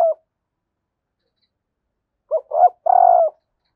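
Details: Female spotted dove giving a call meant to excite males: the tail of one coo, a pause of two seconds, then a fresh three-part phrase of two quick soft notes and a long even coo.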